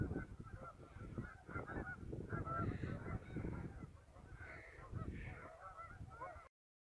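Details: Geese gathered on a river in the afternoon call steadily, with rough honks overlapping and a few higher, strained notes. Constant low rumble underneath, and the sound cuts off abruptly before the end.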